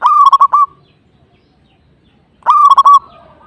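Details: Song of a local zebra dove, known as perkutut, sung in top form to provoke a rival: two loud, rolling coo phrases about two and a half seconds apart, each a rising opening note then a fast stuttering trill, near-silent between.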